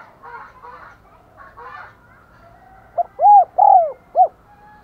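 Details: Decoy spotted dove used to lure wild doves, giving 'thúc gù' and 'gáy gọi' coos: soft muffled sounds for two seconds, then one loud phrase of four mellow hooting notes, the third longest, ending with a short clipped note.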